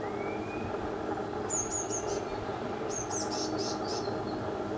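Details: Young Eurasian blue tits being fed by a parent in a garden, Canon EOS 5D MK3 recording: two short bursts of shrill, high-pitched wavering squeaks, with a constant low background rumble.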